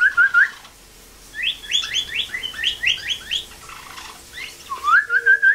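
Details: Imitation of a northern cardinal's song by a blue jay kept in rehab: rising whistles, a long series of rapid downslurred notes, then more rising whistled notes and a faint low steady tone.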